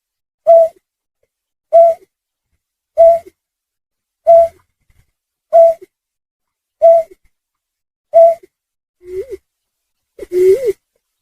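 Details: Snipe call used to lure birds for hunting: seven regular hollow hoots about 1.2 seconds apart, ending with two lower notes that rise and fall, the last one louder and scratchier.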